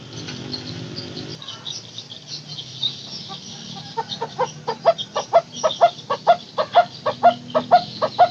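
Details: Barbet (takur teguk teguk) used as a lure to restart barbets that have gone quiet. After a few quiet seconds, a regular series of hollow knocking notes begins and quickens into an even, steady rhythm to the end.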